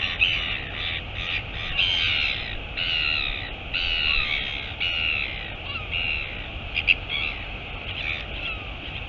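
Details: At a nest in the Taiaroa Head royal albatross colony near Dunedin, New Zealand, on 23 August 2022, the mother arrives; rough, braying calls of about half a second each repeat through the recording against constant wind noise.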